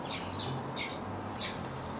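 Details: Common starlings in the early morning, one bird dominating access to food; three short, harsh, scratchy calls sweeping high, spaced roughly every half second to second, over a low steady background hum.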